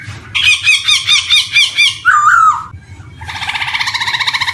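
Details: Black-throated laughingthrush lure recording for young birds starting to sing: a harsh pulsing squawk series, one wavering whistle, then a long grating nasal rattle.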